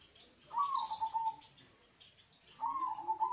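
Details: Deep-toned local zebra dove song meant to lure or prompt other doves: two warbling coo phrases, each starting with an upward note and fading into a rolling trill, with faint chirps from other birds.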